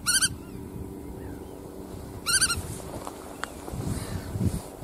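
Black-tailed Godwit giving two quick bursts of nasal, rapidly repeated notes about two seconds apart, over a low rumble of background noise.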